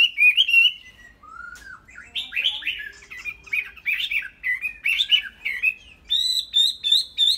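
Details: Tame cage-kept Chinese hwamei delivering a varied song: a slurred whistle, a short rising note, then bursts of rapid, jumbled warbling phrases with brief gaps between them.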